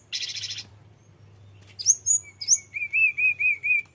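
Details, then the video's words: Flycatcher called tledekan gunung, singing to lure other birds: an opening burst of dense high noise, then bright falling notes and a steady run of wavering whistles about twice per second. "Suara tledekan gunung gacor ngerol bongkar isian"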